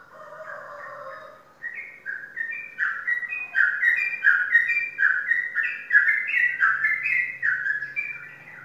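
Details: Indonesian competition sooty-headed bulbul, a prize winner, opens with a low whistled note, then pours out rapid, bright, slurred whistles stepping up and down in quick succession.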